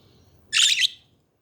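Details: Chatting budgies give a single dense, scratchy chirp lasting about half a second, a bright burst of high warbled notes rising and falling quickly, with quiet background otherwise.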